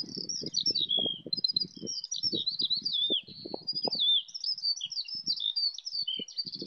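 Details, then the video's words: Eurasian skylarks singing in flight over a wheat field full of skylarks near Bath, England, recorded on an iPhone; a continuous high, rapid warbling stream of trills and chirps, with low thumping handling or wind noise underneath. "Skylarks singing in flight"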